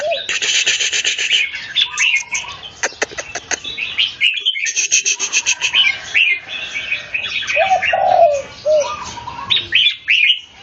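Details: Red-whiskered bulbul competing against a rival bird, giving rapid bursts of sharp, chattering notes, then looping whistled phrases and a few lower descending whistles, with other birds calling throughout.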